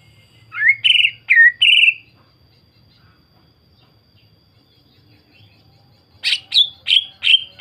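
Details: Lure song of a greater green leafbird, played to provoke other leafbirds into singing: three rich, downslurred whistles, a long quiet pause, then a fresh burst of four falling notes.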